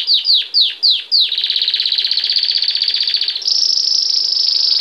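A Belgian canary sings five quick downslurred notes, then a fast rattling bell-like roll for two seconds, ending on a long steady high whistle.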